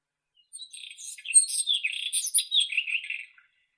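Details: Song phrase of a White-throated robin, Irania gutturalis: a hurried, scratchy run of twittering and buzzy high notes lasting nearly three seconds, the bird alone in silence.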